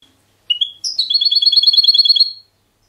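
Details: Trained European goldfinch, a caged bird of Spanish silvestrismo song style, sings clean: a brief rising note, then a fast even trill of bright ringing high notes lasting over a second, in a silent setting.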